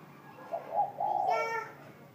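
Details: Spotted dove cooing at noon in a soft, warm-toned style known locally as "gù trộm": a low, mellow two-part coo, the second part longer and slightly falling, with faint background hum.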